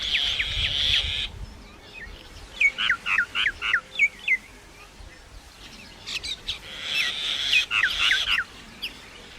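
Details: Singing common myna with varied sounds: a harsh grating burst, then about six sharp clipped notes in quick succession, a pause, and another harsh stretch mixed with short chirps.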